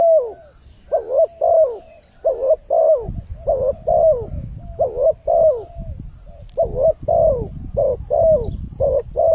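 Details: Spotted dove lure call used to draw in wild birds: short, mellow coos, mostly in pairs, each dipping slightly in pitch, about sixteen notes at an uneven pace, with a low rumbling background from the third second.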